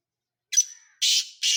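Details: Sindhi tetar, the black francolin, kept as a quality bird: a thin sharp note with a trailing whistle, then two loud grating, buzzy bursts close together, with nothing else heard.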